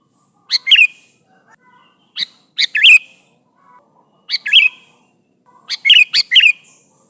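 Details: Sooty-headed bulbul calling its companions: short bubbly chirped phrases of two or three quick notes, repeated about every one and a half seconds against a silent background.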